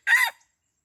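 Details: Red junglefowl recorded during a luring session at Pasir Putih, Krueng Raya: a single short, harsh, harmonic-rich call lasting about a quarter second, loud and close, then silence with no other sounds.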